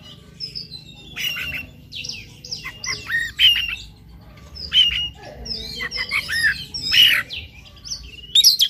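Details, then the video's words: An Oriental magpie-robin sings in the morning, played to coax another bird into song: mixed harsh chattering notes and high swooping whistles in irregular bursts, over a soft background hiss. "PANCINGAN KACER PAGI HARI AGAR NGOTOT NGEPLAY BONGKAR ISIAN"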